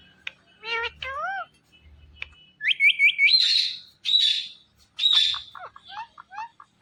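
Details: Pet Indian ringneck parrot that talks, giving harmonic speech-like syllables, a quick run of rising whistled notes, harsh screechy bursts, then a string of short clipped notes; faint low hum in the room.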